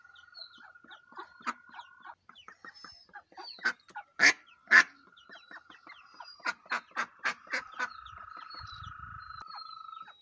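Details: Mallard mother with day-old ducklings: short, harsh, rapidly repeated calls in bursts, loudest around the middle, over thin high peeps and a steady level tone throughout.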